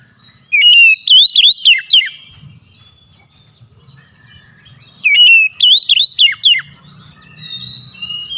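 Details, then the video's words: A magpie-robin's song used to provoke a silent oriental magpie-robin: two matching phrases of fast, piercing whistled slurs about four seconds apart, with softer thin whistles and low hum between. "PANCING KACER MALAS BUNYI"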